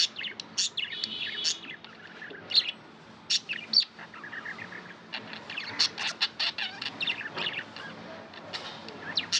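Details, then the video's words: Tame budgies chattering steadily for nearly ten seconds, mixing rapid high tweets, sharp ticks and short warbling runs, loud bursts breaking through a constant soft twittering. "Budgie chirping sound & love"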